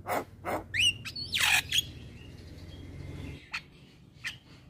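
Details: A male Javan myna produces a few harsh chacks, then a rising whistled slur and a raspy burst, before falling mostly quiet with two faint clicks.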